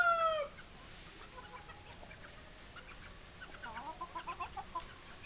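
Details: Chickens: the tail of a rooster crow opens the recording, followed by quiet low background and then a run of short soft clucks repeating about every quarter second near the end.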